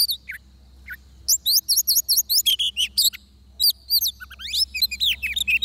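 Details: Trapping scene with a decoy oriental magpie-robin: two low downslurred notes open, then fast repeated whistled notes in quick series, and rich varied phrases continue to the end.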